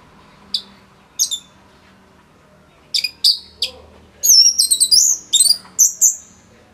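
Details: Orange-headed thrush in full, dense song. Short high chirps at first, then a rapid burst of sharp whistled and twittering phrases that rise and fall, with brief pauses between notes. Recording is kept for tutoring other songbirds.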